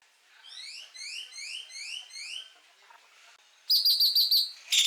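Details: Great-tailed Grackle calling: a run of about six sharp, upslurred whistled notes in quick succession, a short quiet pause, then a louder burst of five high, ringing clipped whistles and a final harsh squeal.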